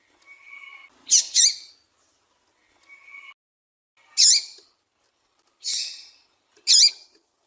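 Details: A female Yellow-bellied Seedeater call, used to stimulate males for singing competitions. It gives sharp, high chirps, some doubled, every second or two, with soft whistled notes before some of them.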